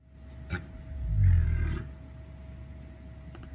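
A cassowary gives a single deep, rumbling boom lasting under a second, low enough to feel more than hear; a faint click and steady hum sit behind it.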